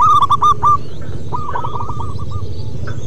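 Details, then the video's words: Zebra dove of local stock singing its 'manggung' song: a loud, quick stuttering phrase opens, followed by a softer run of evenly spaced, clipped coos, with constant low background rumble. "Perkutut MASTERAN BUNYI Manggung Terlama"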